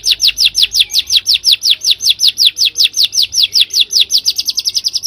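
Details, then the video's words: White-rumped shama song used as a lure to prompt a bird to sing actively: a fast, steady series of sharp, high, down-slurred notes, several per second, repeated for the whole stretch and quickening slightly at the end. "PANCINGAN UNTUK PASTOL JADI GACOR"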